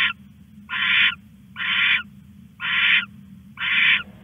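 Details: Owl at 1:41 AM on 21 August 2015, stashing a rat at night; five harsh, hissing, broadband bursts, each about half a second long, come roughly once a second over a steady low hum.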